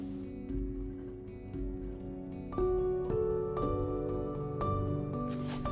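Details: Gentle plucked-string instrumental music plays, with sustained notes changing every second or so and no animal sound.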